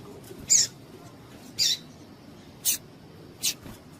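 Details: Female double-collared seedeater calls, played to stir up males kept for singing contests: four short, sharp, high chips spaced about a second apart against a quiet background.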